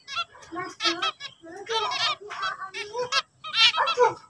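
A zebra finch sings a quick run of nasal, buzzy notes with toy-trumpet honks mixed in.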